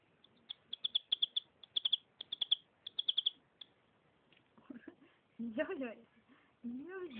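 A canary sings bright, high chirps in quick bursts of three to five notes for several seconds, then people start talking.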